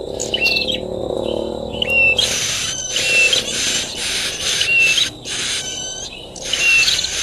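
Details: Prenjak tamu, the bar-winged prinia, calling by its nest: bright clipped chirps and slurred squeaks in quick series, partly masked by loud bursts of hissing noise that come and go.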